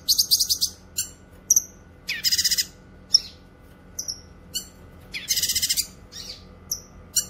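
A cucak kinoy gives high, harsh buzzy bursts mixed with sharp, clipped chip notes, repeated in quick runs every second or so, with no other clear sounds.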